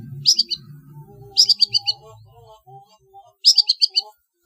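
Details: Long-tailed shrike in a competition training recording: three bursts of rapid, high, stuttering notes come about two seconds apart, with faint lower tones and a soft rumble between them.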